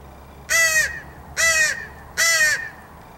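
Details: Crows of a wild family fed by a person in the morning call three harsh, hoarse caws about a second apart, each rich and downward-curving at the end; quiet background.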